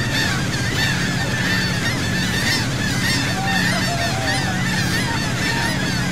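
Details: A flock of seagulls calling at sea near Saint Martin island, Cox's Bazar, Bangladesh, recorded from a boat: dense, overlapping mewing cries with a constant rumbling motor underneath.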